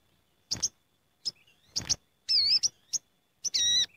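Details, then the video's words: Sooty-headed bulbuls gathering in a flock, a noisy lure sound for attracting the species: scattered short sharp chirps and a few rich, warbled notes with bending harmonics, separated by brief silences. "Suara Pikat Sogok Ontong Ribut Istimewa Paling Ampuh"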